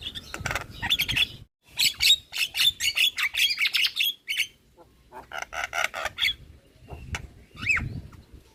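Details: Javan myna lure song, full of mimicry. A long rattling series of rapid harsh notes is followed by a pause, a second buzzy rattled series, and a lone rising whistle.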